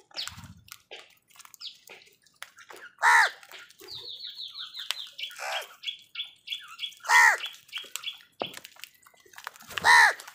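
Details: Crows fighting with wild birds for food; three loud, harsh, harmonic caws about four seconds apart, with a quick run of thin whistled notes from another bird between them and scattered chirps and clatter around.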